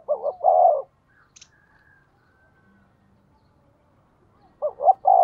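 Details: Spotted dove kept as a lure for wild birds, cooing: a rapid double hoot and longer throaty coo, several seconds of quiet with a faint high squeak, then the same phrase returns.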